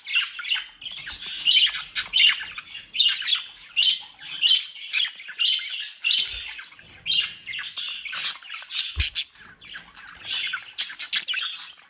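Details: Captive budgerigars from a home breeding group in the Den Haag region, South Holland, Netherlands, chattering together: dense warbling, chirps and sharp squawks in overlapping bursts, with a few soft low knocks.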